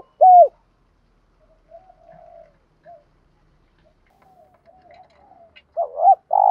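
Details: Spotted dove lure call in the 'gù thúc' style for training birds: one sharp curved coo, several seconds of faint murmurs, then a double hooked note leading into a buzzy coo.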